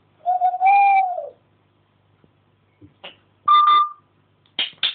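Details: Pet African grey parrot indoors making assorted imitated noises: a long clear whistled tone that rises then falls, followed by clicks and a short flat whistle with harmonics, then brief chirpy syllables.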